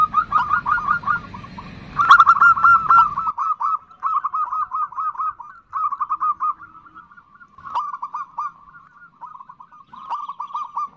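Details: Calling female zebra dove (perkutut) giving the 'nutut' call to attract a male: bursts of fast, bubbling coo notes separated by short pauses, with low background rumble at the start.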